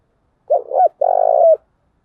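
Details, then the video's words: One low coo phrase from a spotted dove hen kept to lure wild doves: a broken two-part note, then a sustained rough, purring coo that dips at the end. "Tiếng chim cu gáy mồi giọng lôi cuốn hấp dẫn đủ bài[ THÚC GÙ , GÁY GỌI ]"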